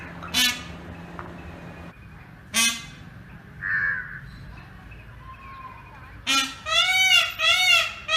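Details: Sharp honking bursts from an Indian peafowl outdoors, spaced a few seconds apart amid quiet background, ending in a run of three loud, nasal, harmonic wailing screams.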